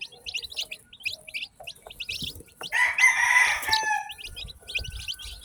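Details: Baby chicks, newly hatched and kept together in a batch, give brisk high-pitched chirps in quick irregular runs; partway through, a rooster crows loudly for about a second before the peeping resumes.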